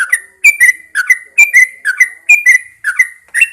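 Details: Caged Yellow-vented Bulbul hung outdoors in the early morning to encourage singing: bright, bubbly whistled phrases of short slurred notes, repeated roughly every half second with quick chattering accents.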